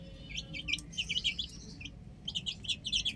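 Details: Baby chickens on a rooftop peep in two quick bursts of thin, high chirps separated by a brief lull, over a faint low background rumble.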